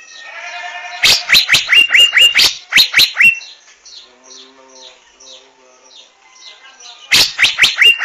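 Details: Asian fairy-bluebird (Irena puella), known locally as Chim Lam: a burst of sharp, loud notes, each ending in a short rising whistle, repeated rapidly for about two seconds and again at the end. Softer, lower calls fill the pause between bursts.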